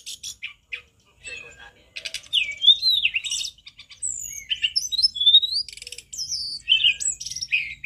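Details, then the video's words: Sunda robin (mountain tledekan) singing a loud, varied run of clear whistles, slurred notes and quick chattering phrases, high-pitched and nearly continuous, with only brief pauses. "Masteran tledekan gunung paling lantang"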